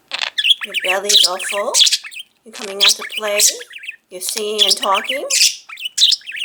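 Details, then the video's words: Indoor pet budgie, a five-year-old male, talking in three clear speech-like phrases with voiced, harmonic tones, with sharp high chirps in between. "Mango the incessant talking budgie"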